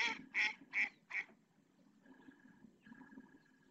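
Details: Purple swamphen at Riet Vell reserve, Ebro Delta, Spain, adults calling three chicks to feed them; four loud harsh nasal notes in quick succession, then quieter thin whistles and soft background chatter.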